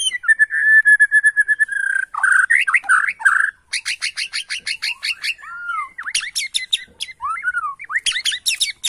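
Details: Bornean white-rumped shama singing loudly and excitedly in reply to a lure recording: a long steady whistled note, then rapid harsh rattling bursts, rapid repeated chips and slurred downward whistles.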